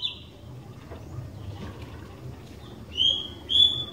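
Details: Sooty-headed bulbul, a keen singer used as a lure for other bulbuls: quiet faint notes at first, then two clear, steady high whistles near the end over a soft background hiss.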